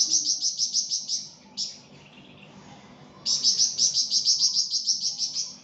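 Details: Flamboyan bird singing vigorously on a tutor recording: long runs of high, sharp, rhythmically repeated notes, a short lone phrase, then a pause before another fast even series.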